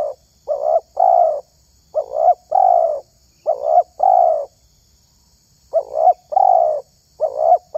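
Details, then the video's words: Mellow cooing of a spotted dove (terkukur) kept for its voice in dove luring; paired notes, short and warbled then long and even, given in a run of four phrases, a pause, then two more. "SUARA TERKUKUR INI SANGAT ISTIMEWA"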